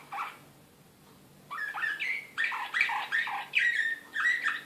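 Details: An excited slavujar canary from Serbia, recorded in Belgrade in 2016, gives a short note, pauses, then bursts into rolling strophes of swooping chirps, each roughly half a second, repeated steadily.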